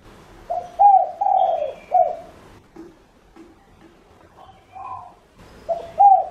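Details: Lure spotted dove cooing to attract other doves. A full four-note phrase of soft, hollow coos ends on a slurred, falling final note. Fainter, muffled coos follow, then a new phrase begins.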